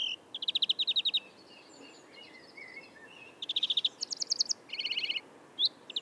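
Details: European greenfinch song in Córdoba: quick, high rattling trills in short bursts, each series shifting up or down in pitch, with fainter twittering between over a soft background hiss.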